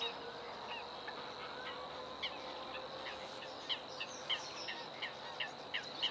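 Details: A Bluethroat sings early in the morning: short, bright, metallic notes at an uneven pace, picking up in the second half, over a steady high hiss and faint hum.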